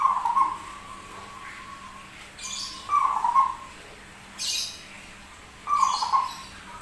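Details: Zebra dove noted as rare, strange-voiced and constantly singing: several trilled coo phrases separated by pauses, mixed with sharp rattling clatters between them.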